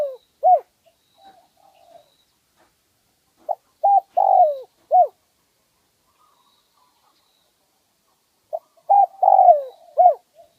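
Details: Wild spotted dove with a medium-pitched one-'kook' voice, recorded in 2020 for luring other doves. Two groups of low, mellow coos, each three to four short hooting notes with a longer slurred middle note, separated by about four seconds of silence.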